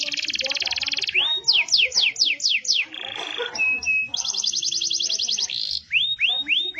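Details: Yellow domestic canary song with varied tours: a fast buzzy trill, a series of slow downward slurs, a brief flat whistle, another rapid rattling trill, and rising swept notes at the end.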